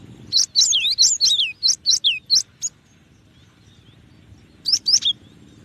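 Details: Cinereous tit (gelatik batu) rattling off a quick string of high curled whistles for about two seconds, then a long silence before a final short trio of notes.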